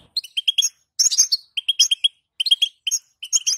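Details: Calls of a female European goldfinch meant to prompt males to sing: short clusters of bright chirps, each group of three to five quick notes separated by brief silences.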